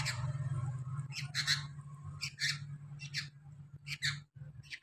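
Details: Sooty-headed bulbul (kutilang) chick giving harsh, raspy squawks in short bursts, some doubled, repeated roughly every second, over a steady low electrical hum.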